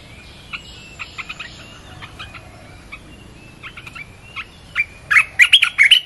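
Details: Red-whiskered bulbul song used to attract wild birds, starting with faint, scattered notes and building to a loud, bubbling run of rich, slurred whistles at the end.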